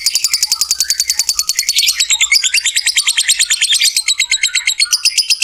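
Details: Lovebird giving a long 'ngekek' trill, used as a lure to get other lovebirds singing: a fast, high, buzzy chatter of evenly repeated pulses running unbroken, with a brief louder shift midway.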